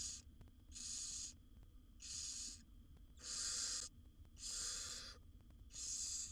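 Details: Wild barn owl owlets, seven young in a monitored nest box, begging while their mother feeds them: harsh, broadband hissing screeches, each about half a second long, repeated steadily roughly once a second, over a low steady hum.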